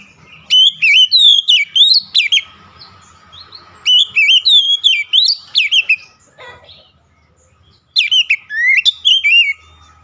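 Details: Lively Oriental magpie-robin (kacer) song, presented for recovery of a stressed bird. Three separate phrases of sweet, looping whistles with quick sharp accents, each lasting about two seconds, with short gaps and a faint hum between.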